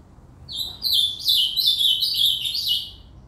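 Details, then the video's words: Ultramarine grosbeak (reinamora) singing in the cantoria style: a rapid warbled phrase of sliding, descending whistled notes, bright and high, delivered continuously for about three seconds over faint low background hum. "Reinamora cantando ( Azulao cantoria)"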